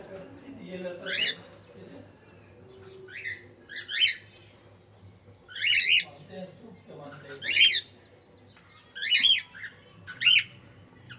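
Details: Pet cockatiel uttering repeated loud screechy chirps roughly every one to two seconds, each a sharp rising-falling squawk, over a faint low hum and some soft murmuring in the room.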